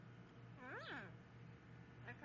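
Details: A pet talking yellow-naped amazon, coaxed by its owner to say hello, gives one drawn-out, nasal, word-like utterance that rises then falls, almost like a meow, over a steady low hum.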